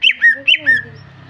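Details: Greater green leafbird female, calling so the male will start singing; two quick paired phrases of a bright falling note followed by a clean level whistle, then quiet.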